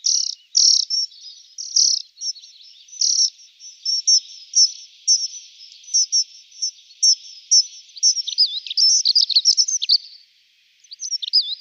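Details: Dunnock with high, slightly buzzy notes at first, spaced roughly once a second, then building into a quicker, twittering warble of thin squeaky notes before a short pause and a final brief phrase.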